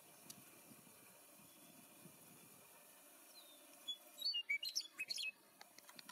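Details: Meadowlark: a faint opening, then a bright burst of clear whistled notes and quick warbled slurs near the end, over low background noise.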